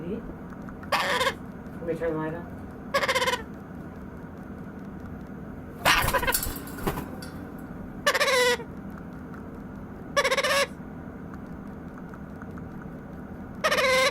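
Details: Nine-week-old White-capped Pionus chick, a hungry pet baby, making hunger noises: nasal, wavering harmonic squawks, each about half a second, repeated roughly every two seconds over a low background hum, with one rustling burst.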